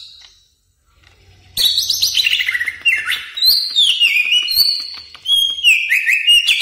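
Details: Greater green leafbird, recorded to train caged birds, bursts after a silent moment into a rich, varied medley of swooping whistles, downward slides and sharp high notes.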